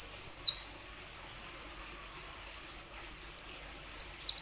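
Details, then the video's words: Plain sunbird singing, used as a lure to get reluctant plain sunbirds singing. A brief shrill burst, a silent gap of almost two seconds, then a longer run of high, sliding, chittering notes. "Kicau burung kolibri wulung"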